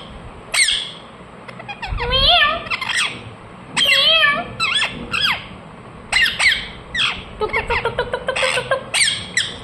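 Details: Ring-necked parakeet, a talking pet parrot, mixing sharp falling chirps with wavering, voice-like chattering notes, then a fast run of short chirps near the end.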